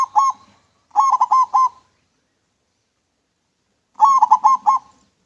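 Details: Clear manggung song of a local zebra dove kept as a lure: short cooing phrases of four to five rolling, fluttered notes, the last coming after a silence of about two seconds.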